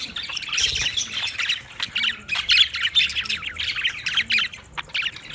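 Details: Several budgies chattering busily, overlapping scratchy chirps and squawks in rapid sequence, with soft low background noise.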